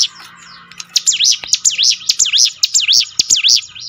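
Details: Bar-winged Prinia (ciblek gunung) singing in a lure recording for training birds to sing: a steady string of high, bright notes dipping and rising in V shapes, close to two per second, after a softer opening.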